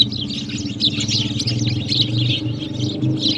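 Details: Morning sparrows at water, drinking and playing: busy overlapping high chirps chattering throughout, over a steady low rumbling hum like distant traffic or machinery.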